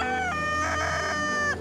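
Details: Rooster crowing near a barber shop in Panama, a single loud drawn-out crow, harsh and strongly harmonic, holding steady before breaking off abruptly.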